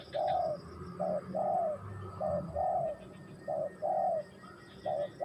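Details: Spotted dove (tekukur) cooing: mellow, low hooted notes in short bursts, some paired, repeated roughly every second, with faint high chirps from other birds in the background.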